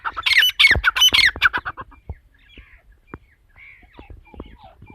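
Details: Female partridge giving a masti wali korak call: a burst of harsh, squawky, rasping notes packed into the first two seconds, then fading to scattered faint clicks and soft chirps.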